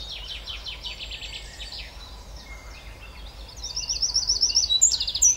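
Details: Eurasian wren singing: rapid, high, buzzy trills open the phrase, then after a short lull a louder burst of quick, sharp, warbled notes climbs in volume toward the end, over a low steady rumble of background noise.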